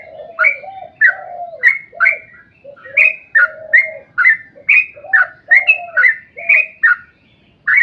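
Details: Sooty-headed bulbul delivering a long rapid 'ropel' song, used as a lure to make other bulbuls sing: fluttering low notes with bright, slurred whistled phrases above, repeated about every half second with short gaps.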